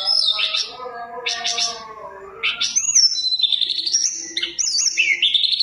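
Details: Lure song of a Mountain tailorbird with rich fill-in phrases: lower layered tones and buzzy bursts give way to quick high whistled slides, wavering notes and trills.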